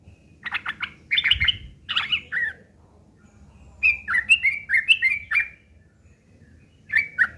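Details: ['Yellow-vented bulbul, fighting-style harsh chatter meant to make other bulbuls respond: scattered scratchy notes, a quiet gap of about a second, then a quick burst of bright chirping phrases and a final short pair.']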